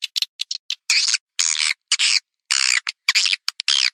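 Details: Swiftlet call meant to draw swiftlets in. Bursts of shrill, raspy chattering alternate with brief sharp chips, with uneven gaps between them. The background is otherwise silent.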